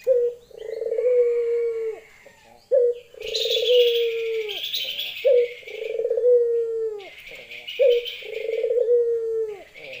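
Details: Repeated low coos from a female Barbary dove calling a male in the lenjeh style. Short and long notes pair up about every two and a half seconds, over a hiss of high twittering from other birds.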